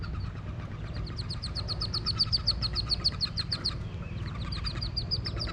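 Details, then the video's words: Wood duck ducklings jumping from a nest box, heard from below the box: rapid high, downslurred peeps repeated several times a second, strongest in the middle, over a steady low rumble of engine or traffic noise. "Wood duck ducklings jumping from Box"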